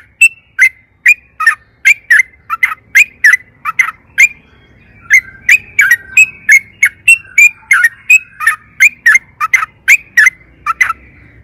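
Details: Yellow-vented bulbul in energetic, long rolling song, used as a lure to get other bulbuls singing: a rapid, unbroken run of loud, sharp chirps and bubbly notes, about two or three per second, sustained for over ten seconds.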